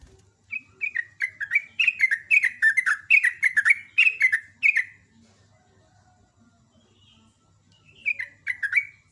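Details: Sooty-headed bulbul (trucuk) in morning song: a long run of about a dozen quick, bright, downward-slurred chirps, then a few seconds of quiet before a fresh burst, over a faint low hum.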